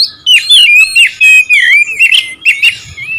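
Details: Oriental magpie-robin (kacer) singing to provoke rival birds: a loud, close, unbroken run of varied whistled phrases that slide up and down, mixed with short harsh buzzy bursts and quick chattering notes.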